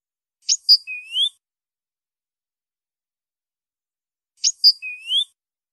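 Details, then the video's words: European goldfinch song: two identical short phrases about four seconds apart, each a few high thin notes ending in a rising whistled slur, with silence between. "canto chardonn"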